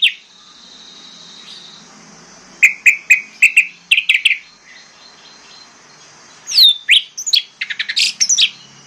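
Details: Orange-headed thrush singing as a lure to make mute birds join in: a string of short, clipped high notes, a pause, then a swooping whistle followed by rapid chattering notes.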